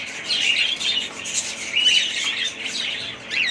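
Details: Several pet budgerigars chatter in uneven bursts, high scratchy squawks and whistled chirps swelling and fading among a continuous twitter.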